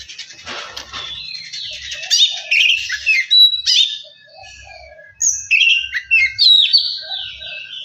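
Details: Kacer (Oriental magpie-robin) singing a lure song to spur other birds into continuous song. Varied whistles, rising and falling slurs and harsh notes in bursts, a brief pause mid-way, then fast twittering phrases.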